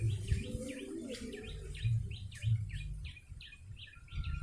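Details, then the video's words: Yellow-bellied prinia calls for bird luring: evenly spaced, sharp, falling chirps, roughly three a second, fading slightly, over low rumble with a faint brief whistle near the end. "Pikat burung prenjak lumut"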